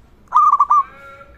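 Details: Local zebra dove in full voice, meant to stir other zebra doves to sing: a short burst of four soft, rapid cooing notes that ends in a brief fading hum.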